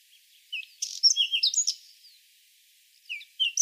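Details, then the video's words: Whinchat delivering a dense phrase of dry buzzy bursts, clicks and short whistles, followed by a pause and a second short phrase of descending whistled notes. "Голоса птиц: луговой чекан"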